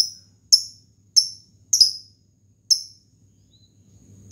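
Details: Lovebird of the fighter kind calling its opponent, a lure to excite other lovebirds: quick shrill chirps about every half second, two in close succession, then a pause and one last burst.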